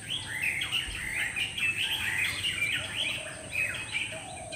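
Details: Drongo, labelled black drongo but described as Sri Lanka crested drongo, gives busy, overlapping chirps and harsh twangy notes in near-continuous chatter, with a steady high insect hum behind.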